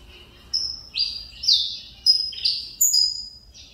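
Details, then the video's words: Saffron finch of Mineirinho lineage, father a Cobrap runner-up and mother CMA, regaining its singing after two years of feather trouble. Loud, clear, whistled notes, some flat and some sliding down, delivered in a steady, rhythmic phrase. "Canário Mineirinho filho do Mineiro vice campeão Cobrap e de mãe CMA voltando a cantar"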